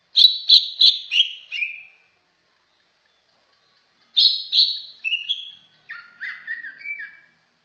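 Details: Greater green leafbird delivering clear repeated whistled notes, four in a descending run, then after a pause a longer phrase stepping down into lower slurred whistles.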